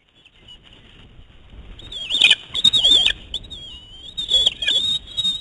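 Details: Two eagles squabble over prey on their nest, a male refusing to give up his catch to a young female; thin high squealing whines rise and fall in bursts amid rustling and beaking sounds.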